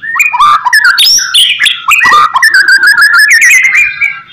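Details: White-rumped shama singing a master song to trigger replies from other shamas; continuous loud medley of whistles, slurred notes and quick repeated chips, shifting pitch without pause.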